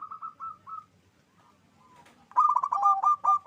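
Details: Local zebra dove (perkutut) from an Indonesian breeding farm in Bekasi, West Java, singing loudly to raise mating drive: a few soft rolling coos, a pause, then a loud burst of quick stuttering coos on two pitch levels.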